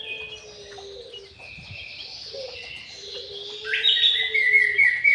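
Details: Captive white-rumped shama in an aviary: low steady whistles alternating with higher warbled phrases, ending in loud, rich, rapidly varied notes, over faint background noise.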